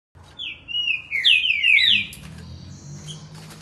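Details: Green-winged saltator from Campinho, Jacarepaguá, Rio de Janeiro, singing a short run of clear whistled notes that slide downward, each dropping quickly in pitch, delivered in a rapid cluster followed by quieter background.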